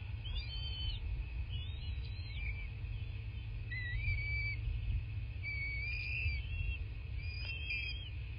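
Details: Bald eagles at their southwest Florida nest, captured by a nest cam on 8 March 2024 at 11:00. High, wavering whistled notes and short rising and falling squeals sound over strong low-pitched background rumble.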